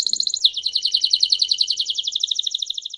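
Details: Belgian canary singing in the campainha song style: a high rapid rolling trill that drops slightly in pitch after half a second, then continues as an even pulsing series of notes for the rest of the clip.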